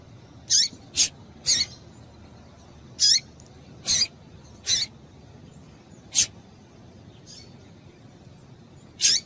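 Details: Repeated sharp, high chirps and clicks from a female double-collared seedeater, whose call stimulates males; notes are irregular, sometimes closely spaced, with longer gaps toward the end.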